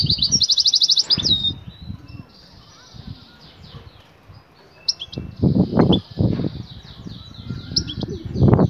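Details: European goldfinch hen in breeding condition calling to the male: an opening buzzy trill followed by a long run of high, thin twittering notes, with heavy low knocking sounds late in the clip.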